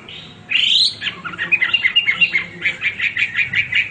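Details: Hwamei in full, nonstop song: one bright rising whistle, followed by a steady run of short, evenly spaced chirping notes repeated several times per second.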